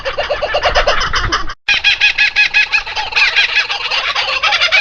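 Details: Laughing kookaburras (Dacelo novaeguineae) in full chorus give their laughing call: a rapid run of harsh, cackling hoo-hoo-ha-ha notes rising and rolling together, with a brief cut partway through.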